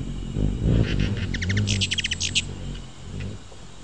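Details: Ruby-throated hummingbird calling in a quick run of thin, sharp chips that speed up and then stop, with low rumbling noise throughout.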